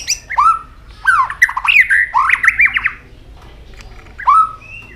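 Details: White-rumped shama singing many varied notes, switching voices while flicking its tail continuously: rich whistled phrases that slur up and down, a quick run of warbled notes, a pause, then a final falling whistle.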